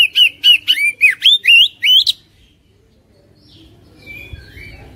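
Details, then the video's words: Caged Oriental magpie-robin song used to prompt a reluctant bird: eight quick whistled, hooked notes in a rapid rising series over two seconds, then quiet with faint distant chirps and low background noise. "PANCINGAN KACER INI | KACER MALAS BUNYI CEPAT GACOR"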